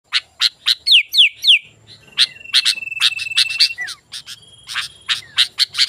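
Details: Sooty-headed bulbul in lively song, used as a lure for wild bulbuls and for tutoring: rapid sharp chirps and quick downslurred whistles, then a long steady whistled note held over a second, followed by more clipped chirps.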